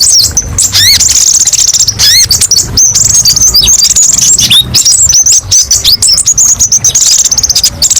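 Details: Kolibri ninja sunbird, masteran: sweeping upward whistles at the start, then dense high trilling and sharp chips in rapid succession, bright and continuous over low hum.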